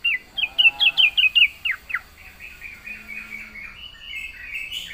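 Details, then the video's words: Trucukan, or yellow-vented bulbul, in lively 'gacor full isian' singing: a rapid series of loud, sweet, descending whistled notes over about two seconds, fading into softer trailing warbles and a faint high insect-like buzz. "burung Trucukan gacor full isian"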